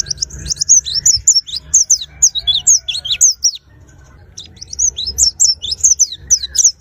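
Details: White-eye kept as a cage bird, given care to encourage singing, delivers fast high chattering phrases of sliding whistled notes, pauses briefly, then resumes the lively twittering run.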